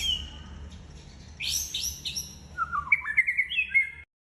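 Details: White-rumped shama song intended as a model for copying: harsh high chattering bursts followed by a string of short, clear whistled notes jumping between pitches, with low rumbling noise underneath.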